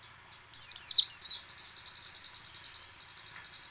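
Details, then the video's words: Loud, fast, high zigzag twitter from a white-eye followed by a long, even, rapidly pulsing trill; recording used to set other white-eyes singing. "PLECI ngecal, ngalas dan nembak AMPUH memancing pleci buka paruh."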